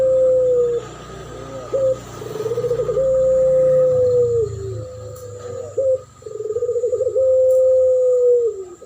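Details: Spotted dove in a lure duet for attracting birds: repeated long low coos, each starting with a rapid quavering pulse and stretching into a steady tone that drops at the end, with a low droning hum underneath.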